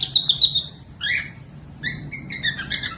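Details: Cockatiel whistled song meant to help other birds learn to sing: a wavering high whistle, then rising harmonic whistles and a run of short chattering notes.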